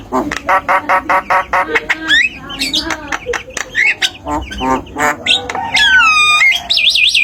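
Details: Tame Javan myna serving as a master singer for other birds: clipped chattering notes repeated quickly, then bending whistles, a long descending pure note and wavering high trills at the end.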